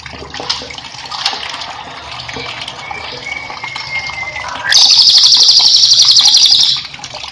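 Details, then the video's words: Whiskered Treeswift master song for training cage birds. After a stretch of running water and a faint thin whistle, a loud high rapid trill lasts about two seconds. "cililin gacor cocok untuk masteran"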